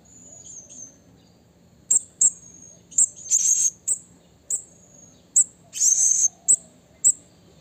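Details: Wild blue-crowned hanging parrot calling a rival: short piercing high notes interspersed with harsher, buzzy, grating bursts lasting up to half a second, delivered in an uneven series.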